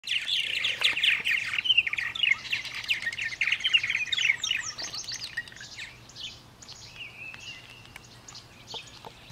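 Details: Purple martins at a martin house, Besant Campground, May 23, 2015, chatter in a dense run of gurgling, chirping notes for about five seconds, then a few scattered calls and a thin whistled note.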